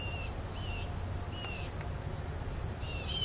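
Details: Juvenile Mississippi kite begging while being fed: thin, clear whistled notes, slightly slurred, given in short spaced bursts over a steady low rumble of wind or distant traffic.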